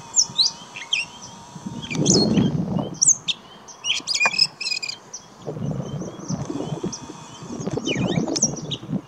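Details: Gray catbird song from St George Marsh, Charlotte County, New Brunswick, in May 2016: scattered squeaky and clicking phrases over low rumbling noise bursts, with a steady faint hum in the background.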